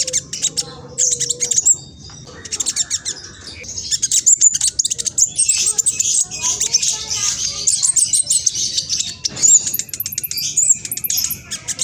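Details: Speckled juvenile mistletoebird, East Java, Indonesia, singing a rapid, chattering lure song meant to make other birds call back. High sharp notes run almost continuously in quick rhythm, with a few lower whistled slurs.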